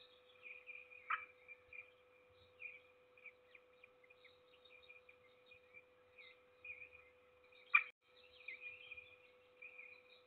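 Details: Peregrine falcon at Trzebież Forest District, Poland, feeding its only chick on 7 May 2022; rapid high squeaky peeps keep up throughout, with two loud rasping shrieks near the start and end, steady hum beneath.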